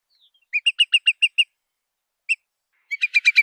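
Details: Curlew on a lure recording: a short run of clipped whistled notes, one isolated note, then a louder, rising flurry of quick whistles at the end.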